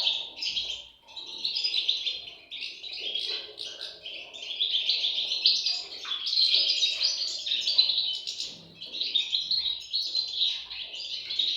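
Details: European goldfinch chicks calling in a long, high, wavering chorus of squeaky chirps, swelling and easing repeatedly over nearly twelve seconds.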